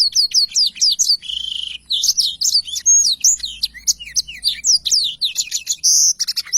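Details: Long rolling 'ngerol panjang' song of a black-throated canary, clean training recording: a continuous, unbroken stream of quick, high, varied chirps, slurs and buzzy trills for nearly seven seconds with no gaps.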